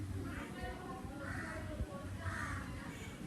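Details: Crow calling on a summer day: three harsh, drawn-out caws spaced about a second apart, heard over a steady low rumbling background.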